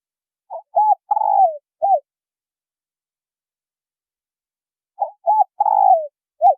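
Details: Male and female spotted doves in a provoking call for newly caught birds. Two coo phrases roughly four and a half seconds apart, each with short lead-in notes, a long tremulous downward coo and a brief arched ending note.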